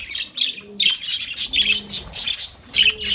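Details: Lovebirds give dense, squeaky chattering and sharp chirps in a steady stream, with faint low cooing notes in the background.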